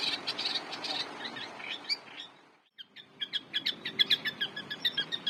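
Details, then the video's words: Long-tailed shrike in energetic song used as a master for training cage birds; rapid high chirps, a brief silent gap, then louder piercing repeated notes. "Pentet gacor cocok buat masteran jagoan kalian"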